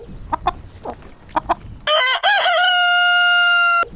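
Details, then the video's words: A rooster gives a few soft clucks, then one loud crow of about two seconds, rising sharply and holding a strained, harmonic-rich note before cutting off. "Roosters Crowing"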